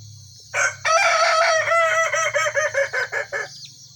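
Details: Crowing contest in one cage between a red and a yellow Kukuak Balenggek rooster: a brief opening note, then a long loud drawn-out syllable breaking into about ten quick stepped pulses that fade away, with faint high chirping of small birds behind.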